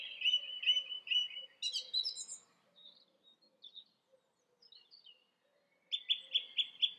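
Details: Song thrush singing: loud repeated phrases, first a note given three or four times near the start, then a burst of high, scratchy notes, a quieter gap of soft twitters, and a final phrase of four to five quickly repeated clear notes.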